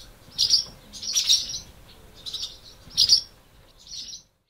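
Barn Swallow giving five bright, high twittering chirps in short bursts, roughly one a second, over a faint low background hum.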